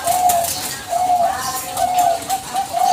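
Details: Zebra dove of the Bangkok strain, a lively singer, used as a lure to draw a reply: several smooth, level coos in a short run, with faint hiss behind.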